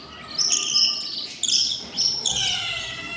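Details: Hungry budgie chicks, six in a nest at day 20, produce drawn-out raspy begging wheezes, overlapping high screechy notes that swell and fade over a few seconds.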